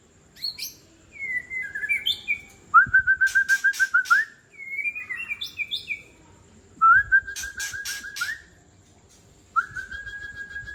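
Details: Harsh 'trek kasar' phrases of an old wild white-rumped shama from Tangse, used to provoke other shamas. Rising and falling whistled notes lead into fast rattling runs of short even notes, with loud sharp clicks between phrases.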